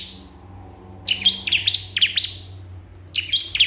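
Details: Bar-winged prinia calling against a rival over a faint low hum: a burst of four sharp, high chirps, then a gap, then another short burst.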